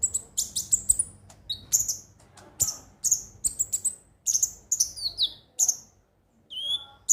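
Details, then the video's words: High-pitched konin song played to encourage birds to sing every day: quick volleys of bright, squeaky chirps, a brief pause, then a lower sliding whistle near the end. "pancingan suara burung KONIN agar rajin bunyi tiap hari"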